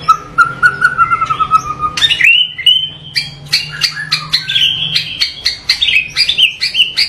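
White-rumped shama in rich, varied song: a steady whistled note, then a rapid run of sharp, rising and falling whistles and chattering phrases, with a faint low hum behind.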